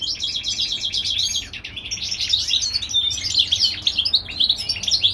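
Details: European goldfinch hybrid from California in spring, giving a steady high twitter of clipped chirps and short trills with little pause.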